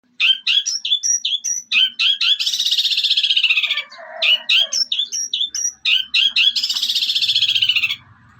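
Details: Young long-tailed shrike, still in juvenile plumage, singing a varied mimicry-filled master song: sharp high chirps repeated rapidly, broken by two long, dense buzzy rattling trills and a lower scratchy passage.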